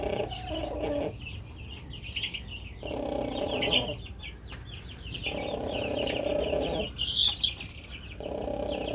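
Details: Contented pet rooster snoring: bursts of low, hoarse, purring rasp about a second long repeat with pauses between, while scattered high chirps and small clucks sound in the background.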